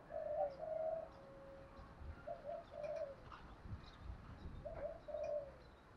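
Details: Distant spotted dove cooing in the 'thổ' style, used to attract wild doves: soft paired hoots repeated three times under steady rumbling background noise and faint scattered chirps.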